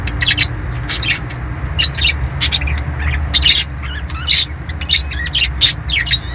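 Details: Budgerigar chirps come in short high bursts with bright sharp tweets about every second, and softer warbling between them over a low background hum.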